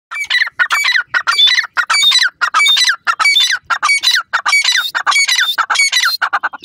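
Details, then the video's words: Francolin, a local teetar, calling loudly in a long dense run of harsh, grating notes repeated in rapid bursts, each note rich and rasping with strong high overtones, several birds' notes overlapping. "badami teetar ki awaaz,partridge bird sond,francolin ka bap"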